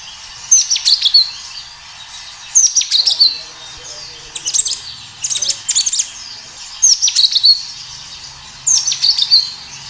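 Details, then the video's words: Vigorous kinoi song from a natural recording: five repeated bursts of high, piercing chirps and whistles, roughly every two seconds, with soft low murmuring noise in the background. "Suara kinoi gacor"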